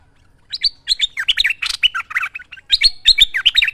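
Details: Vigorous merbah lekir bulbul song recorded as training material: a fast, busy stream of chirpy whistled notes, rising and falling, mixed with scratchy buzzes, nearly three notes a second.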